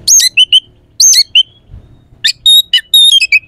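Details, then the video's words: Oriental magpie-robin with a harsh, sharp provoking song aimed at rival birds. Scratchy downslurred bursts alternate with short whistled notes, then clear level whistles and chips in a fast sequence. "PANCINGAN KACER AUTO CEPAT RESPON/KACER JADI EMOSI SIAP TARUNG"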